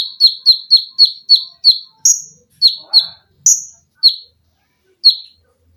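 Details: Olive-backed sunbird in lively form, kept as a cage-bird tutor, fires a quick even string of shrill chips, then spaced higher and lower notes.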